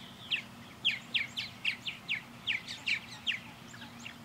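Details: Purple martins flying around a backyard birdhouse, sending out a rapid run of about ten clipped chirps, roughly three per second, each sliding quickly downward.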